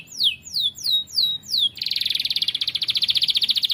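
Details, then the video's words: Canary singing a training song: five clear downward-sweeping whistles, then a rapid pulsing trill at high pitch. "KENARI GACOR. MASTERAN BURUNG TERBAIK"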